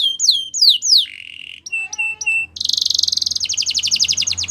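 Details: Spanish Timbrado canary with a few loud falling whistles, a low flat hum, three clipped repeated notes, then a bright buzzy trill breaking into very rapid pulsed chatter.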